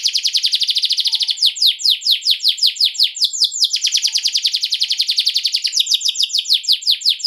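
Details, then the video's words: Canary ngerol song meant to lure other canaries into replying: a dense, high, rattling trill alternates with runs of fast, downward-swept notes, sustained throughout. "KENARI MANA YANG NGAK AKAN RESPON, DENGARKAN PANCINGAN KENARI NGEROL INI"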